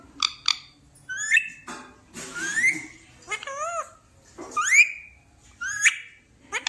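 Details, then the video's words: Talking parrot kept as a pet in a small room, giving rapid speech-like syllables mixed with rising and wavy whistles, phrases repeating roughly every second with short gaps. "Talking parrot"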